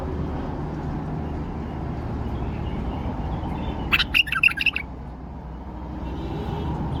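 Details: Tame male bulbul kept in a cage in Baghdad, Iraq, delivers one short burst of about five rapid, ringing whistled notes amid steady low-pitched background noise.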